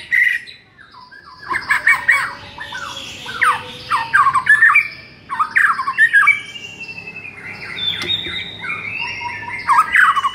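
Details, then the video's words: White-rumped shama song for stirring a quiet shama into singing: dense jumbled phrases of whistles, harsh squawky notes and quick chirps, loud and continuous after a short quiet start. "MASTERAN UNTUK DONGKRAK EMOSI MURAI BATU YANG KURANG GACOR"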